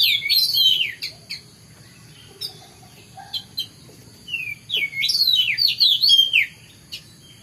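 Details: Morning song of an Oriental magpie-robin: a burst of sliding whistles, then scattered short sharp notes, then another rich run of rising and falling whistled phrases.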